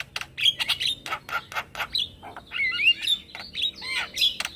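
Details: Male Javan myna giving a call meant to lure other mynas and starlings into answering: sharp chirps and squawky bursts mixed with brief whistled, rising and falling notes, delivered in quick irregular runs.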